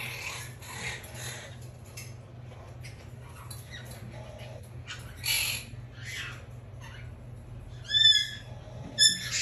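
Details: A Red-shouldered macaw (Diopsittaca nobilis) chick, sleeping on its back, gives two brief, harsh, raspy squawks near the end, after quiet stretches of low hum and faint rustling.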